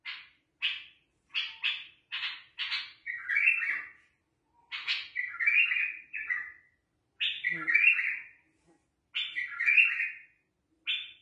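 A bulbul sings in short bursts: quick scratchy chatter notes that run into bubbly, warbled phrases, repeated every second or two with brief pauses between.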